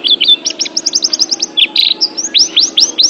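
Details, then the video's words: Oriental white-eye, a pet bird, in a training recording: rapid series of high rising chirps, a buzzy trill, then several loud upslurred whistles; steady low hum beneath. "TERAPI MENTAL PLECI ♫ DIJAMIN PLECI ANDA JADI JUARA ♫ Kicau Burung Terbaru"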